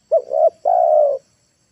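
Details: One phrase from a spotted dove used as a lure bird to bring wild birds down: a short hooked note sliding into a soft coo, then a longer level hollow coo, in a quiet setting.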